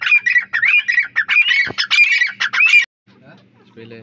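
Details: Partridge (teeter) calls in a dense run of harsh chattering notes laced with arched whistles for almost three seconds, then quiet with a low hum and a faint rustle at the end.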